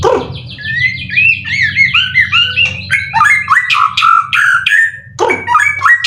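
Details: Caged white-rumped shama in 90% condition, a 12-time contest winner with song material full of cililin; fast chattering sequences of rising slurred notes and sharp chips, nearly continuous, over a steady low hum.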